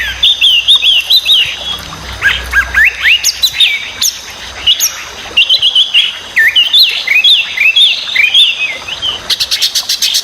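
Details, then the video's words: Chinese hwamei, a loud, noisy singer, pouring out a varied stream of whistled phrases, quick slurs and repeated rising notes, closing with a rapid high rattle. "burung wambi super berisik/Hwamei bird"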